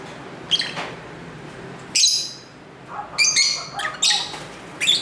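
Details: Lovebirds chattering to one another, recorded at home on a built-in camera mic with street sounds: bursts of piercing, raspy squawks and quick clustered chirps, irregularly spaced, over a constant low hum.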